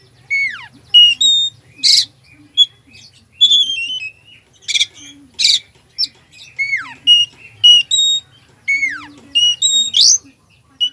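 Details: Full, varied Oriental magpie-robin song meant to rouse a slow bird: rapid strings of sharp whistles, steep falling slurs and loud harsh buzzy notes follow almost without pause over a faint low hum.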